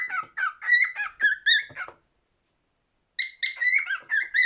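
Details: Cockatiel song in two bursts of rapid whistled chirps separated by over a second of silence, notes warbling up and down with clear harmonics.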